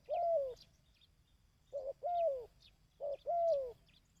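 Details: A dove's call used for training decoy birds: three phrases, each a brief clipped note and then a drawn-out coo that sags in pitch. Faint high chirps are behind it.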